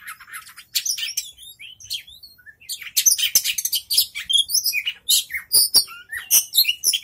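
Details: A young contest oriental magpie-robin starts with quiet twittering, then builds into loud, rapid whistles, sharp chirps and upward-sweeping notes in a busy, varied sequence.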